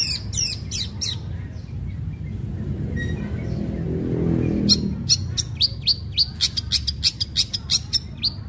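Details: Fighting-style long-tailed shrike song used as a lure for other shrikes: opening flurry of harsh chips, a quieter gap with faint whistles, then a long, fast series of sharp, scratchy notes, over low rumbling noise.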